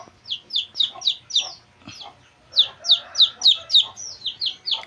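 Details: Shrill descending peeps from two-day-old Shamo chicks, fast runs of high piercing notes several per second, a brief pause in the middle, then a denser burst of overlapping peeps.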